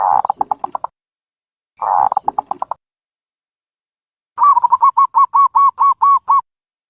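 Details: A ground dove, in a recording of dove-trap sounds, gives quick runs of short, pulsed coos, six to ten notes per run, with three runs in the clip. The background is otherwise quiet.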